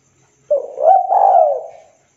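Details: Local spotted dove challenging a rival with its call: a single three-part coo phrase, short pip, soft rising coo and a lengthy falling burr, heard alone without background noise.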